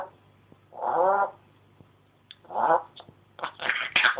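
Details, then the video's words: Indoor pet African grey parrot mimicking speech and household noises: two rounded, vowel-like mewing sounds a second apart, then a quick burst of clipped, chattering syllables. "the african grey chatting away again...."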